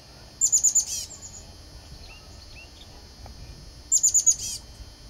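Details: Chestnut-backed chickadee at a nest in a flicker box with eggs and young, giving quick bursts of four very high, thin notes, each burst repeated after about three seconds, with faint lower chips between.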